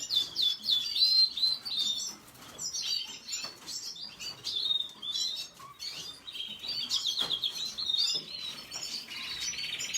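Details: A red siskin, the Venezuelan red siskin, keeps up a fast, jumbled twitter of high chirps and trills, with short breaks and soft wing sounds between bursts.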